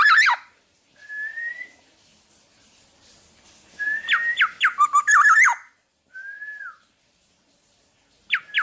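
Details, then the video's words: Black-naped oriole (kepodang) singing energetically, a recording meant for training other songbirds: clear rising and falling whistles around a fluty pitch, a rapid burst of downslurred notes with a harsh, rich, wavering phrase, then a short slurred whistle. "Burung Kepodang Podang gacor buat masteran"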